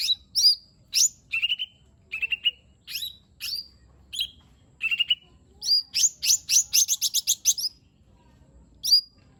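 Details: Lesser green leafbird in full song with mimicked phrases, played to coax a silent bird into singing: spaced whistled notes gliding downward, then a fast rattling string of high chirps, ending in one lone whistle.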